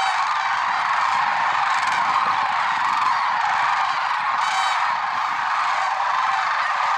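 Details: Lesser sandhill cranes calling in early morning at Merced National Wildlife Refuge, February 6, 2023; a dense steady chorus, with a loud nearby rattling bugle standing out around the middle.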